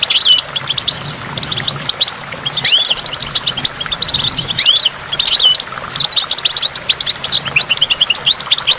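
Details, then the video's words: Lively goldfinch song by a waterfall, fast chirps mixed with a few sweeping slurred notes, delivered almost nonstop over steady water sound. "in the waterfall stimulates goldfinch and water drops"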